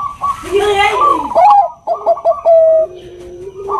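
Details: Bangkok zebra dove female calling a male, nutut-style voice: after a brief noisy burst, stepped and trilled cooing phrases follow, ending in a long flat note, with another low coo beneath.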